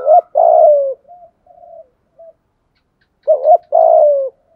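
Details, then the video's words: Spotted dove used as a decoy to lure other doves, giving a drawn-out descending coo, a few soft short notes, then after a silent gap a quick doubled note and another long falling coo. "thuc gu gay goi chim cu gay/ chim cu gáy mồi ra đủ bài"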